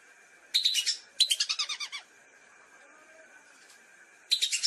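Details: Lesser whistling duck used to lure birds for hunting: two short runs of quick, high whistled notes that fall slightly in pitch, a quiet gap with a low steady hum, then another brief burst.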